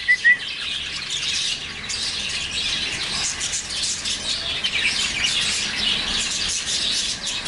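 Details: Baby lovebirds, recorded on a Sony Alpha 6000: dense, continuous high chirping and twittering from many birds at once, opening with two short clear whistled notes, over a faint low background hum.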